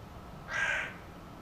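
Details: A single drawn-out, hoarse caw from a hooded crow against a low background hiss.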